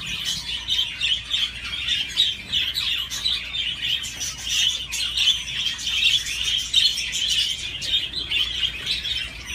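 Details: Budgerigar on a swing warbling without pause: a dense, continuous chatter of fast, high twittering and squeaky notes, with faint clicks throughout.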